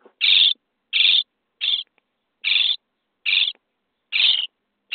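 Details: Day 23 in a nest box, common starling chicks beg as they are fed: short, rough, hissy calls, about seven, spaced a little under a second apart.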